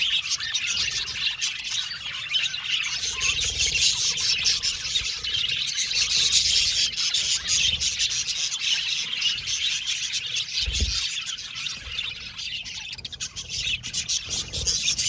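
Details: Budgie aviary colony with a long, continuous stream of high twitters and scratchy warbles from many birds, plus one brief low thump.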